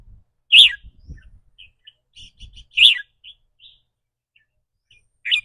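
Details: A caged red-whiskered bulbul sings its rik rua style, rapid or doubled depending on the bird's mood that day. Three loud burry phrases, about two seconds apart, stand out among soft chirps and low thumping handling noise.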